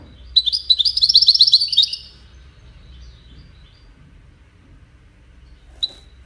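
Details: Wedani European goldfinch delivering a two-second string of rapid high twitters, followed by near silence and one isolated sharp note near the end.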